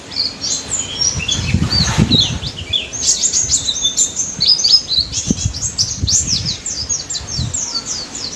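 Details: Daput white-eye (pleci) in full 'ngalas' song, used to prompt mute white-eyes to sing: rapid high chirps and thin whistled slurs running without pause. Soft low thumps and knocks come in around the second and fifth seconds.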